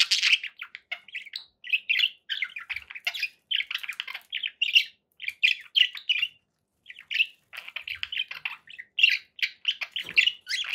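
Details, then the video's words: Pet budgies keep up a steady run of short warbled chirps and clicks, bunched into rapid phrases with a gap near the middle, bright and scratchy throughout. "budgie sounds for pet birds"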